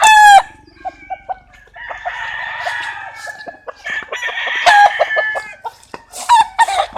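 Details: A rooster crow opens sharply, then repeated short clucks and more crowing layered over each other, with loud crowing phrases returning near the end.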